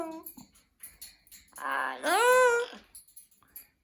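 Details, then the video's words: Pet Amazon parrot in a small room answering a person's repeated hellos with a rising, harmonic hello of its own, preceded by soft human speech and clicks. "Parrot Saying Hello | Amazon Parrot"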